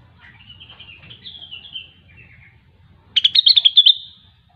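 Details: Grey-cheeked bulbul (locally rengganis or cucak wilis) singing in the vigorous 'gacor' style: a drawn-out buzzy warble, then a loud burst of rapid chattering notes near the end, over a faint low hum.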